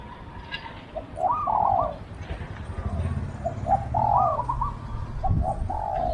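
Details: Spotted dove decoy calling to lure wild doves, with two main phrases of quick notes rolling into a drawn, falling coo, then a trailing softer coo, over a steady low hum.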